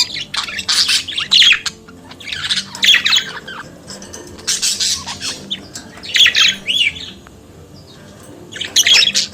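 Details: Australian parakeet or budgerigar chattering in loud bursts of scratchy, squawking warble lasting one to two seconds, separated by quieter pauses.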